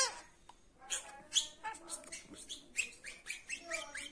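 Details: Chattering budgerigar, a pet bird, pouring out fast scratchy chirps and stacked squeaky notes in an uneven stream, nearly two bursts per second.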